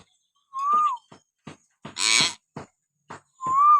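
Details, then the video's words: Common hill myna whistling naturally, used to stir pet mynas to sing: an arched clear whistle, soft clicks, a loud harsh rasp, more clicks, and the arched whistle again. "masteran burung beo suara siulan alami"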